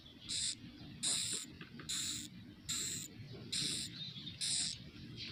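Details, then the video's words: Chicks of swiftlets in their nest house, recorded indoors: six loud, harsh hissing bursts spaced about a second apart, over a low droning hum. "dengar suara asli anakan burung walet"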